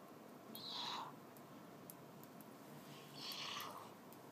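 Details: Captive young Northern white-faced owls hatched on 15 and 17 December 2012, giving two soft, breathy hissing calls about two and a half seconds apart in a quiet room.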